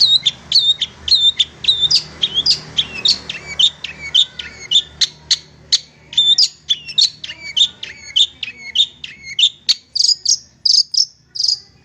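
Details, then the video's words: Long-tailed shrike song used as tutor material for kept birds: brisk repeated high chips and twisting whistled notes, almost two per second, steady and varied for about twelve seconds, with a faint low hum beneath. "masteran burung cendet"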